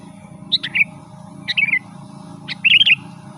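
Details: Sooty-headed bulbul singing energetically, a recording meant to lure wild birds. Three brisk warbled phrases come roughly once a second, each a quick high flick followed by a bubbling, rolling twitter, with a constant low droning hum beneath.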